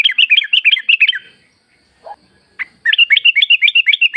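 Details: Sooty-headed bulbul in full song, used as a lure to make caged birds sing: rapid bubbly phrases of quick repeated whistled notes, a short pause with a faint low note, then the bright chattering run resumes.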